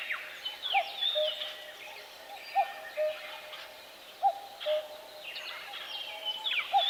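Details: Forest bird chorus: thin, high whistles and sweeping slurred phrases, with a soft two-note low whistle that repeats regularly about every two seconds against steady background hiss.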